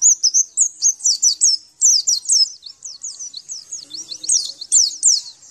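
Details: Javan white-eye singing in a training recording for captive birds: steady, high-pitched runs of crisp zigzag and downslurred notes, about three per second, continuing throughout.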